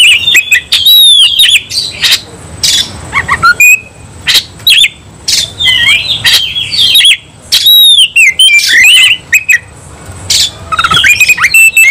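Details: Oriental magpie-robin, worked up and fighting stubbornly, delivers loud varied song: sharp whistled slurs, harsh rasps and clicks in quick phrases separated by short pauses, with a faint steady high tone behind.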